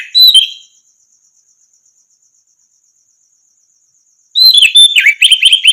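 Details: Orange-headed thrush song used as a training recording to get silent caged birds singing: a short burst of clear whistled notes, then a long pause with only a faint steady insect trill, before a rich rush of slurred whistles resumes.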